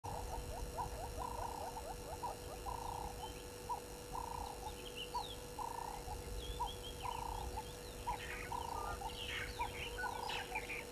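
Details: Francolin calling at 18:00 on 21 October 2021 at a waterhole dam on a game reserve in the Sabi Sand area, South Africa: harsh, grating notes repeated in a rapid rhythmic series, over a steady electrical hum, rumbling noise and other high bird calls.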